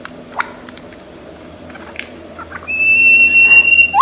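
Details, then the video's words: Lyrebird of Australian forests, known as a great imitator: faint scattered notes, then a loud, long, level whistled tone ending in a sudden rising sweep. "Lyre Bird Burung 1001 Suara"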